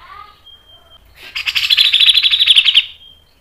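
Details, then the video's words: Cucak jenggot (Grey-cheeked bulbul) training song: soft lower chatter and a thin held whistle lead into a loud, fast, rasping rattle of about fifteen notes. "MASTERAN CUCAK JENGGOT MBESET NGEPIK NEMBAK PANJANG SPEED RAPAT | PANCINGAN cucak jenggot"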